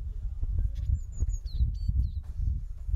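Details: Japanese tit fledglings leaving a first-time nest box in a round-leaf holly tree in a garden of a residential area near a mountain village, six chicks, pair of parents attending; thin high whistled notes then short down-slurred calls over low rumbling noise.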